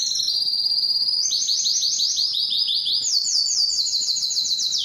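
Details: A yellow canary sings continuously. A thin, level high note gives way to quick rolling trills that step upward in pitch through the phrase.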